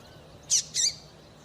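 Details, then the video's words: Female coleiro tui-tui calling to excite males into song: two quick, bright high chirps in close succession, the second slightly longer, then quiet. "Piado de Fêmea de Coleiro para Esquentar Coleiro tui tui"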